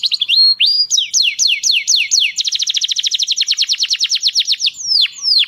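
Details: Canary singing to stimulate females for breeding: sweeping whistled notes lead into a long, fast, rolling trill, then two clear descending notes close the phrase.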